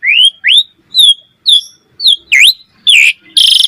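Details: Asian pied starling, master song for training other starlings: a series of about eight rising whistled notes roughly every half second, ending in a harsh buzzy burst.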